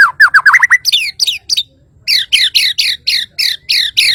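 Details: White-rumped shama of Kalimantan pouring out fast whistled upslurs, then after a short break a steady series of harsh, downward chattering notes repeated about four times a second.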